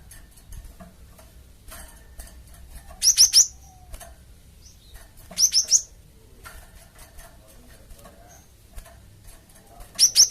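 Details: High chirped triplets repeat roughly every two and a half seconds from a Java sparrow, sounded to coax nearby birds into calling back, against a quiet background.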